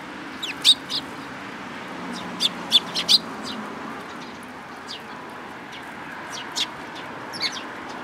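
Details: Sparrows at a Tenmangu shrine on 13 April 2022, one lacking a tail, utter crisp high chips, several in quick succession near the start and third second, then sparse single notes, over faint steady background noise.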